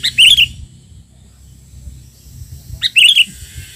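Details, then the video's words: Albino sooty-headed bulbul, a tame bird, trained after being caught, now back outdoors in the wild: two loud, bright, warbled chirpy bursts at the start and near the end, separated by quiet with a low background rumble. "burung kutilang albino si raja kutilang"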